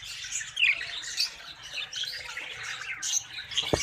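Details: Caged breeding budgerigars with eggs and chicks from a first clutch, many birds chirping and warbling at once in a busy high twittering chorus, one brief clearer whistled note early on.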